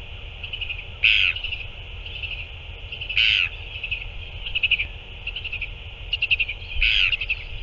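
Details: During a feeding on 9 February 2024, a Northern royal albatross gives three louder harsh bursts interspersed with softer stuttering, clicking notes, all over a continuous hiss.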